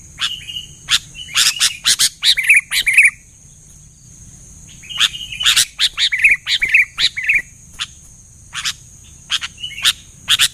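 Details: Sooty-headed bulbul singing loudly, answered quickly by other bulbuls: bursts of bubbling, warbled notes around the middle pitch range with sharp clicks, in phrases separated by short pauses, over a steady high hiss.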